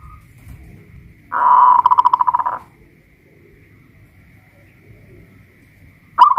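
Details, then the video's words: Caged local Pajajaran zebra dove from Kuningan, West Java, singing while hoisted on a pole: one loud, pulsed cooing phrase near the middle, bracketed by quiet stretches and the start of another phrase at the end. "Perkutut lokal pajajaran jawa barat gacor rajin bunyi"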